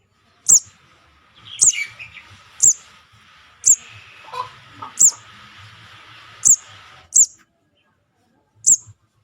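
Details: Juvenile sogon calls used as a bird-catching lure: sharp, very high chirps repeated about every second, with a faint hiss and lower murmur in the background.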